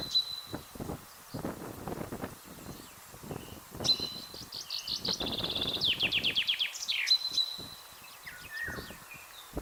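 A Common Chaffinch sings a bright, rattling phrase of quick notes, stepping downward before ending in a flourish. Thin whistles from other birds and low rustling run beneath it.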